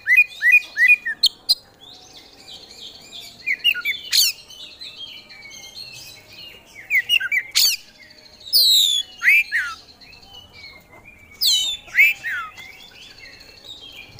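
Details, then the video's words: Oriental magpie-robin (kacer) singing energetically in gacor style, showing off its isian fill-in repertoire: a varied stream of bright whistles, slurred rising and falling notes, buzzy trills and sharp harsh bursts separated by short pauses. "Kacer Gacor Bongkar Isian"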